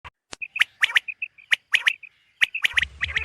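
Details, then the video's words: Female common quail (batair) calling at dawn: sharp, high clipped notes, mostly in quick groups of three, spaced irregularly and separated by soft, short piping notes. A brief low rumble comes near the end. "Female Batair Calling | Suba Lagaty waqte Ki Awazay| Batair Ki Awaz Suba ki liye|Common Quail Calls|"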